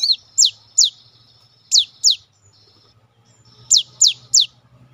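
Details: A lively cinereous tit in full song, used as a lure recording to prompt other tits to sing, gives sharp, high whistled notes sweeping steeply downward in quick pairs and triplets with short pauses, over a faint low hum.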